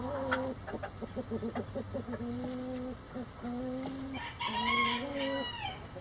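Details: Roosters in a flock before dawn, heading out of the coop: a run of short steady clucking notes and drawn-out calls, then a loud, ragged, falling cock-a-doodle-doo crow near the end.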